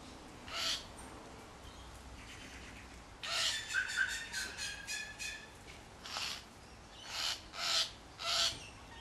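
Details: Wattlebirds mobbing a Kookaburra in a backyard close to their nest; harsh rasping squawks open and close the passage, with a rapid run of rhythmic, stacked chattering notes in the middle.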